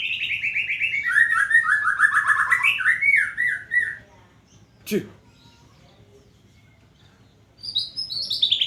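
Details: White-rumped shama sunning in the morning: a four-second run of rapid, rolling warbled notes, then a sharp click and silence, ending with high, bright, falling whistles.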